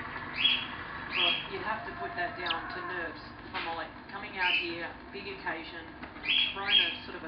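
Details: A female pet Bourke's parrot (Neopsephotus bourkii) chatters quietly in a running, scratchy warble, broken every second or so by bright rising chirps and rougher, almost speech-like notes.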